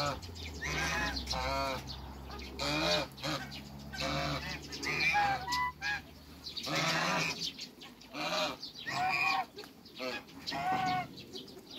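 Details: A pair of African geese kept in a backyard with other waterbirds gives loud, nasal, harmonic honks in repeated bursts, some drawn out and some clipped, with brief pauses between outbursts.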